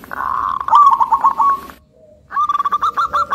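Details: Local zebra dove with a thick, melodious, rhythmic voice, singing to provoke other zebra doves: a fast, mellow, rolling coo trill that breaks off briefly, then resumes as a quick series of beaded notes.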